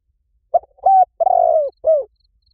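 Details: Spotted dove lure call for attracting doves: brief first coo, level second coo, long vibrato coo drifting lower, and a quick falling last note, with no background noise.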